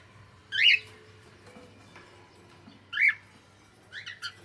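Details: Pet cockatiel uttering three separate sharp, rising chirps spaced roughly two seconds apart, each brief and bright, against a quiet indoor background with faint low hum.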